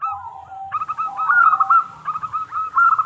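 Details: Local zebra dove song used as a lure to draw answers from other doves: a low drawn coo, then quick rolling cooing notes in two overlapping voices, one higher and one lower.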